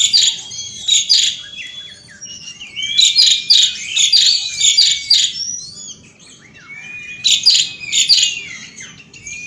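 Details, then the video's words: Asian pied starling outdoors in continuous 'gacor ngeroll' song: repeated raspy, buzzy bursts interleaved with rising whistled glides, a quieter whistled stretch midway, then renewed harsh chatter. "BURUNG JALAK SUREN OUT DOOR GACOR NGEROLL"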